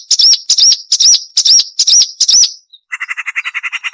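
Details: Marsh warbler song prepared as sharp training material for caged birds. Six loud ringing upslurred whistles repeat about twice a second, then a rapid, even string of buzzy chattering notes follows after a short pause.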